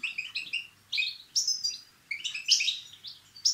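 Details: 'Btbita' and 'stssta' style song of a Moroccan European goldfinch, used to provoke singing: liquid, twittering chirps and one high drawn-out buzzy note, phrases broken by brief silences.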